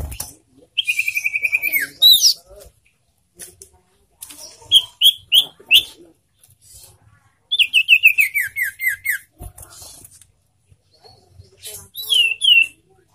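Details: Captive sirtu singing in bursts of rapid whistled notes, one long trilled phrase dropping in pitch, then clusters of sharp high chirps with short silent gaps between phrases.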